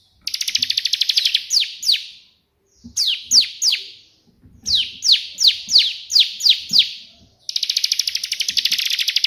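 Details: Bar-winged prinia delivering 'tembakan' burst song modelled on the white prinia. A dense high trill, then spaced strong downslurred whistles in bursts, ending with another fast even rattle of notes.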